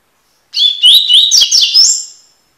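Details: Double-collared seedeater singing a tui-tui style phrase, recorded to tutor young birds in song: about five sharp, upward-slurred whistles delivered quickly in under two seconds, bright and ringing, against silence.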